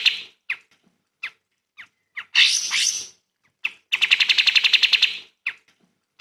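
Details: Cream-vented Bulbul (kapas tembak) in a song prepared as teaching material for songbirds: scattered short chips, a loud harsh buzzy phrase, then a fast, even trill of sharp repeated notes followed by more chips.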